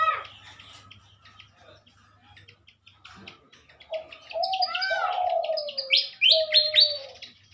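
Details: Pied fantails being matched as a breeding pair for release, Indonesia, 2023, in the morning: quiet chirps build into high, stepped, squeaky phrases mixed with long, low, descending whistles; steady hum in the background.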